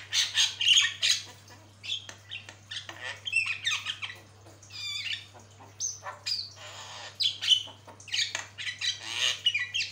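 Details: Javan myna singing a long, vigorous master song used for training other birds: harsh squawks, buzzy rasps and sharp chirps packed densely, with brief whistled slurs in between.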